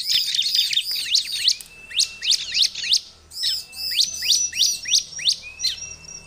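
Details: A Bar-winged Prinia gives a rapid string of sharp, high chirps and downslurred notes, about three a second, with thin whistles between, in a compilation used as a lure to attract prinias. No other sounds stand out.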